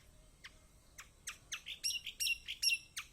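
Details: Yellow-vented bulbul song used to prompt silent birds to sing: sharp descending chips that speed up into lively, high, ringing chirped phrases, repeated in quick succession.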